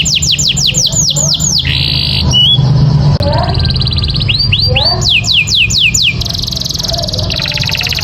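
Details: Canary (Serinus canaria) singing, used as a master recording to train other canaries: a fast, varied song of rapid high downward-sweeping whistles, rolling trills and buzzy notes over a steady low hum.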